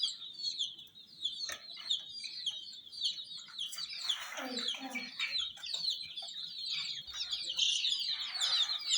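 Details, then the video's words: ['Several domestic chicks chirping near a toy jeep, dense high-pitched peeps running without pause, with a muffled voice briefly rising in the middle.'] "MURGI "Chicks Chirping" Sound"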